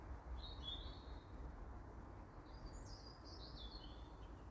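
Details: Juvenile Eurasian blue tit uttering short high chirps early on, then a longer series of thin, wavering high notes, set against a low, steady hum.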